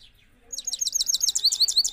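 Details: Rolling song of a trained Parachinar Himalayan goldfinch in Kabul, Afghanistan, 2022. After a soft start, it breaks into a rapid, loud, high-pitched rolling trill of bright repeated chirps that continues to the end.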